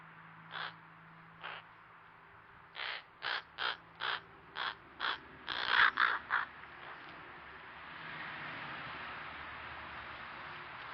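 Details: Crows in Nova Scotia, Canada, captured by a backyard trail camera while making odd sounds. A quick series of about ten short, clipped caws roughly three per second, then steady background hiss.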